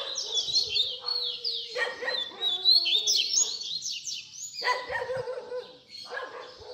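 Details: Spirited fibra singing from a double-collared seedeater in baderna style, recorded for teaching young birds; a continuous tangle of rapid rising and falling high notes with buzzy undertones and short breaks.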